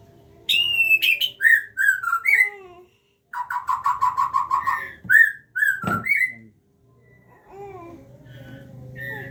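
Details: Captive Aceh white-rumped shama feeding its young: bursts of loud whistled notes, a fast rattle of evenly spaced pulses in the middle, then more slurred whistles and a thump.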